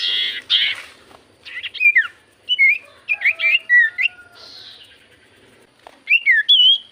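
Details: Javan white-eye lure song to set common iora singing: a buzzy opening, then clipped looping whistles and downslurs in quick groups, a brief soft steady tone, and a final cluster of bright rising and falling notes.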